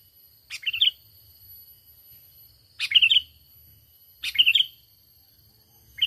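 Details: Sooty-headed bulbul lure call for trapping: short bright chirping phrases with a sharp onset and warbled twist, repeated roughly every two seconds, over faint low background hum.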